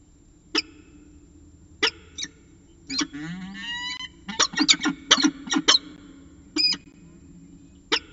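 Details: A peregrine falcon pair at the CSU Orange nest in the evening, 11 December 2018: isolated sharp chips, a whining drawn-out wail near the middle, then a quick cluster of harsh notes and a few scattered chips.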